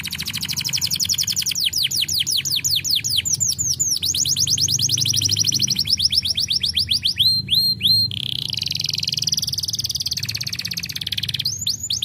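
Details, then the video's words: Canary singing continuously and loudly: long rolling trills of rapid repeated rising-falling notes, switching tempo every few seconds, with a sustained ringing whistled passage near the end and a faint steady hum underneath. "Welcher Kanarienvogel kann den Klang dieses Kanarienvogels ertragen?"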